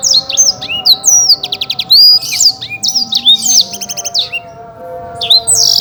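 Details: Contest-winning Black-throated canary kept in Indonesia, delivering lively high song: rapid chirps, buzzy rattling trills and rising and falling whistled notes in rapid succession, faint low tones humming underneath.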